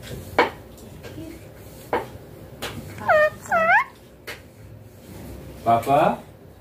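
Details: Young green Indian ringneck parakeet vocalising indoors in cold winter weather: a few short, arched, harmonic squawk-like utterances in paired bursts midway and near the end, separated by sharp isolated clicks and taps in a quiet small room.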